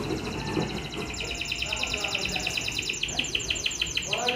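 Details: Young canary in full, frequent song: a fast rolling trill of repeated arched notes, about three per second, sustained for several seconds over soft background noise.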